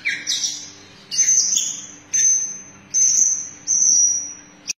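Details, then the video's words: White-rumped shama, long-tailed, singing during a bowing display: a series of high, drawn-out whistles, mostly steady or gently falling, about one per second, with a brief sharp note at the end. "Murai batu nembak sambil sujut sujut istimewa"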